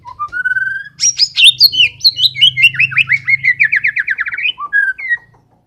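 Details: White-rumped shama, murai batu, singing persistently: a rising whistled note, then a dense cascade of rapid varied whistles and trills sliding downward, ending with short fluty notes; low hum underneath.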